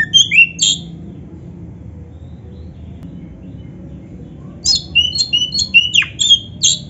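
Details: Oriental magpie-robin (kacer) in a training recording: a few sharp chirps, then a long quiet gap, then a quick burst of varied squeaky notes and a downward swoop.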